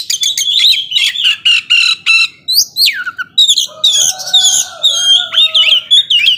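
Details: Oriental magpie-robin singing energetically to stir emotion in slower birds: quick repeated rattling notes, loud falling whistles, then a mix of sustained tones and rapid chattering phrases with twisting slurred notes.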